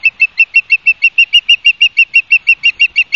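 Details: Osprey at its nest in Barnegat Light, New Jersey, midday on 31 August 2022, gives a fast, even series of clear, high whistled chirps, roughly three each second, loud and close with a quiet background.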